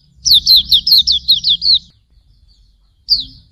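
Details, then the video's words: Hume's white-eye song for training birds: about ten high, downslurred chirps in quick succession, then silence and a single closing note, over a low rumble. "Masteran Suara Burung Pleci Auriventer"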